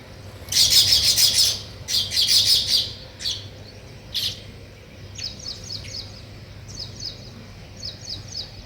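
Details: Weaver birds chirping while building a nest: loud dense bursts of high, rapid chirps, then softer rhythmic runs of short high ticking notes repeated in quick series, over a low steady hum.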